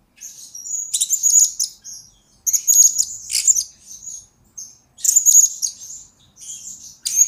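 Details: Blue-crowned hanging parrot singing, recorded as a lure and master for training birds: almost continuous high, squeaky chattering phrases in three main bursts with thin whistled notes between, no other sounds.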